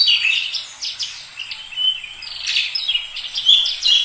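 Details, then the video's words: Oriental magpie-robin delivering a dense, energetic warble of high whistles and quick chirping notes, swelling and fading in short phrases without pause. "Kacer langsung gacor moncer"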